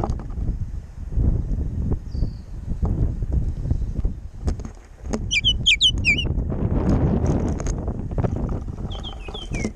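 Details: Windy backyard where Baltimore orioles squabble over a jelly feeder; a cluster of short, clear, down-slurred whistles sounds midway, a softer pair of whistles near the end, with strong wind noise throughout.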